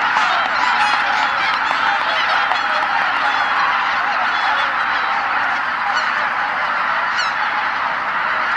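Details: A large flock of greater white-fronted geese returning to a marsh roost before sunset, arriving from all directions, fills the air with continuous overlapping high, yelping honks.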